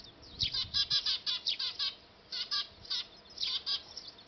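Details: Eurasian tree sparrows at a nest on a factory roof in Japan, recorded with a camera: bright, sharp chirps in quick bursts of two or three, repeated about twice a second, with short gaps between bursts.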